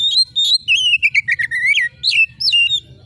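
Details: Oriental magpie-robin in full voice, sharp-screeching song for stirring competition birds: two high whistles, then a fast tumbling series of bright warbled notes that drops in pitch and turns back up, with a few closing whistled slurs.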